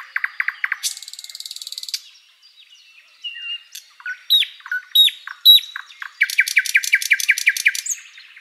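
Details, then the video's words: Wild thrush nightingale in spring forest at sunrise, singing a quick run of clicking notes, a dry buzzing rattle, scattered whistled and slurred notes, then a long fast rhythmic trill of repeated chirps. "Bird sounds Nightingale chirping and singing"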